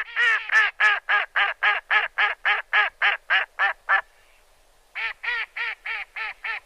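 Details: Farm duck quacking in a fast, even series: about thirteen nasal quacks at roughly three and a half per second, a short pause, then six more in the same rhythm, with no other sounds.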